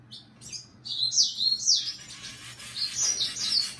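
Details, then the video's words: Short song of a red siskin: a few sharp chirps leading into a continuous high warbling twitter with buzzy, slurred notes. "Red Siskin"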